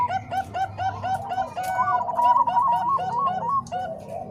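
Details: Zebra doves of the Bangkok and cemani kolbuntet types singing together: rapid, bubbly cooing phrases with stuttering, ringing notes repeated several times a second, possibly several birds overlapping.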